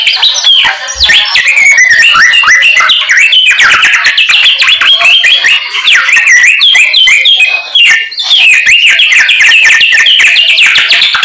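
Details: A white-rumped shama sings nonstop with its full range of learned fill-in phrases, a rapid unbroken run of varied whistles, trills and down-slurred notes lasting over ten seconds.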